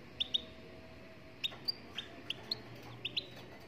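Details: Moroccan European goldfinch singing softly: about ten high, clipped chirps, some paired, scattered irregularly across under four seconds over a steady low hiss.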